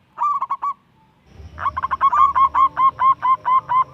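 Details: Young local zebra dove (perkutut lokal), a lively singer whose song is used to coax lazy doves into singing: a short burst of four clipped cooing notes, a pause, then a long, evenly spaced run of about a dozen rhythmic coos.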